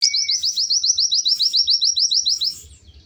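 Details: White-eye in lively, melodious song: a fast, even trill of about fifteen high, sharply down-slurred notes lasting roughly two and a half seconds, with a faint low rumble underneath.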